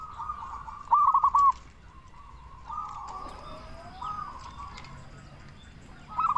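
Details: Local zebra dove giving a lure call to prompt other zebra doves to reply: short trilled cooing bursts separated by quieter gaps, softer overall with faint background hiss.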